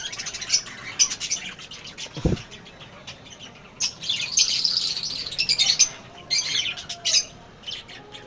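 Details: Lovebirds, young ones among them, in a colony: a dense, buzzy squawking spell mid-clip framed by sharp, scattered chirps, plus a single low thud early on.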